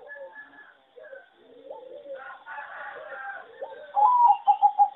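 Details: Farm-bred singing zebra dove, a competition line selected from a wild mutation and said to sing poorly with a bad melody: soft low coos and rolling phrases, ending in a louder run of pulsed coos in a steady rhythm.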